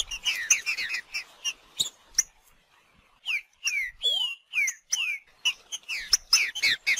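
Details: Green-winged saltator in nature with bursts of chirpy, falling whistled notes, a quiet pause, then a series of clear down-slurred whistles and one rising sweep before a fast chattering run.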